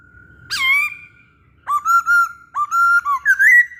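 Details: Masked laughingthrush in full voice, sung as a lure for other birds: a clear level whistle, then a run of loud bright whistled notes with sharp upward-flicking starts and a final rising note, with short gaps between.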